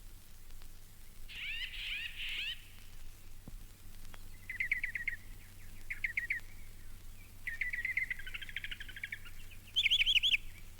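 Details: Northern Mockingbird, Florida's state bird, at Mountain Lake Sanctuary, Lake Wales, Florida, from a 1970 record: bright, varied phrases, each repeated several times in quick bursts before switching, over a faint low hum.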